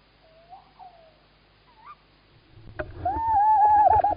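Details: Male tawny owl calling in Estonia on 11 March 2017 while the female sits in a nest box: soft hoots near the start, then a loud, drawn-out quavering hoot over low rumbling background noise.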